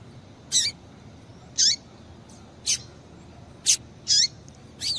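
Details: Calling female double-collared seedeater, used to stir a male into singing, gives six brief piercing high chips spaced roughly one second apart, some ending in a quick falling slur; quiet hiss between notes.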